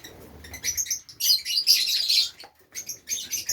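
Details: Several Fischer's lovebirds kept as ornamental birds in Safi, Morocco, give a dense run of piercing, rapid chirps, about two to three per second, that breaks briefly, then resumes in shorter squeaky bursts.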